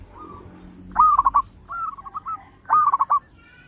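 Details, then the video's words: Local zebra dove singing strongly, recorded as a lure: three stuttering trilled coo phrases, each a quick burst of pulses at a steady pitch, over quiet background. "Perkutut lokal gacor suara besar bikin gempar bunyi seteras cocok buat pancingan"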